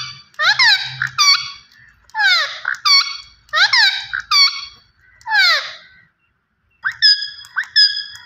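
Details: Green ringneck parrot utters a run of scratchy, speech-like phrases of descending harmonic notes, then after a short silence switches to clearer, flatter tonal syllables.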